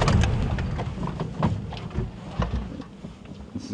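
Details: Low engine rumble and rattling from a safari drive vehicle at sunrise, with broadband knocks and no animal calls.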